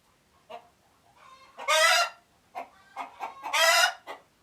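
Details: Chicken in Uganda giving alert noises, with soft clucks building into two loud, rasping, drawn-out squawks close together, otherwise quiet surroundings.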